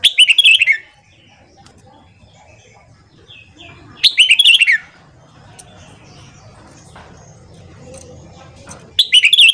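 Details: Red-whiskered bulbul singing in the morning for song training, giving three short, rich, bubbling warbled phrases roughly every four seconds, with quiet gaps and faint background hum between.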